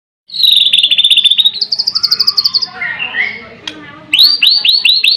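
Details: White-rumped shama, a magpie-robin also known as Murai Batu, singing a varied song: long pure whistles, a rapid trill of repeated notes, then a fast series of rising whistled notes at the end.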